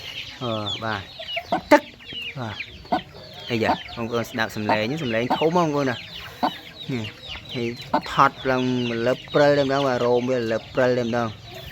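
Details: Decoy waterhen reared since small, calling and pecking at its owner's hand from its cage. A long, loud sequence of deep, harmonic clucking notes comes in rapid irregular bursts, growing denser toward the end.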